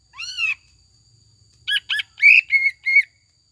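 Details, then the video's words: Greater green leafbird lure song with tengkek buto fill-in: one broad arched whistle, then a rapid string of five strong chirping notes, clear and loud over a silent background. "PANCINGAN CUCAK IJO GACOR JAMTROK NGEKEK ISIAN TENGKEK BUTO DAN LAINNYA"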